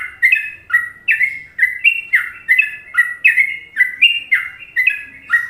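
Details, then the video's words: Indonesian masteran song of the sooty-headed bulbul (trucuk) in the favoured Trucukan style: about eleven liquid, sliding whistles in under six seconds, each falling or rising sharply, in a bouncy, regular beat. "Masteran Trucuk Indonesia"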